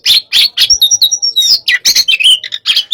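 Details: Oriental magpie-robin of the hot type at pacingan: a short burst of harsh chatter, then clear, level whistles and sweeping slurs, followed by more rasping notes.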